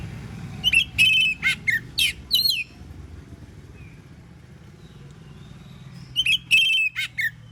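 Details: In full morning voice, an Oriental magpie-robin sings to make rival magpie-robins respond. Two bursts of bright whistles, buzzy trills and falling slurs are separated by several seconds of quiet with faint background hum.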